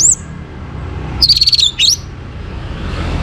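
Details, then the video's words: Morning song of an Orange-headed thrush from Singaraja, Bali, used to stimulate breeding condition: one high thin note, a pause, then a rapid sweet warbled phrase dipping and rising, over faint background hum. "Naikan Birahi ANIS MERAH pancingan PAGI HARI"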